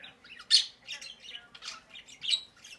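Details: A pet monk parakeet (Quaker parrot), female, gives harsh, scratchy squawks and chattering notes in quick bursts, with a loud screech near the start, indoors while being coaxed to talk and dance.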